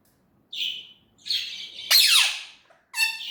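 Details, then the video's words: Indian ringneck parrot producing three separate utterances: a short shrill whistle, a longer hoarse phrase, then a loud rasping squawk that slides downward, ending with a brief harmonic note; quiet room between sounds. "Natural talking parrot voice"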